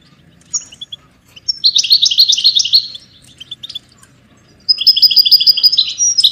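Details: European goldfinch singing for songbird training: a few isolated high chirps, then a fast jingling twitter, a short pause, and a second bright, buzzy trilled run to the end.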